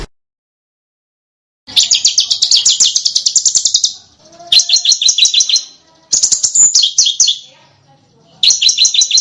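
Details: Small bird singing on a master recording meant to teach competition cage birds other birds' sounds; after silence come three bursts of rapid, high, buzzy trilled notes separated by short gaps.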